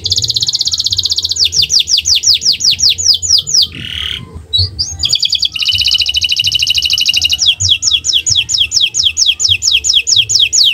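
Canary pouring out high, rapid rolling trills, each phrase of quick repeated notes sliding into the next, with one short harsher break midway; faint low hum beneath.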